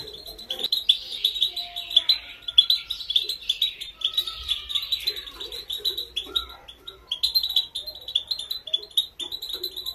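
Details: A female European goldfinch sings a motivational training song for male goldfinches. Bright, high, tinkling twitters stream nearly without pause, with a few thin drawn-out whistles and faint low chirps beneath.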